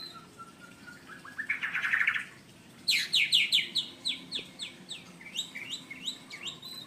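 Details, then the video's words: Courting male White-rumped Shama, blorok type, Indonesia, singing to a female: a thin steady whistle, then a loud burst of notes, then a rapid series of clear, falling whistled notes repeated about every quarter second. "Murai Jantan Merayu Betina"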